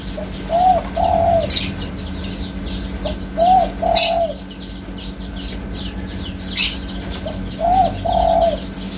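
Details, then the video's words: Spotted dove cooing in repeated phrases, each a short soft note followed by a longer slurred coo, given about every three seconds. Thin high twittering of other small birds runs throughout, with occasional sharp clicks. "Suara Burung Tekukur"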